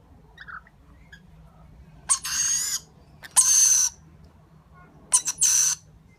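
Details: Harsh, crackling begging rasps from a baby lorikeet being fed, in three bursts, the last split into two quick notes, after a quiet start with a faint chirp.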